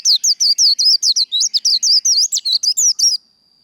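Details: Japanese white-eye in fighting song: fast, continuous series of high twisting whistled notes, roughly five per second, running for about three seconds before stopping, followed by a faint steady high tone.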